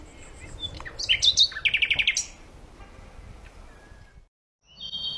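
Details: Bird song with a brief burst of high twitters and a quick run of repeated chirps, followed by quieter background and a short high note after a pause.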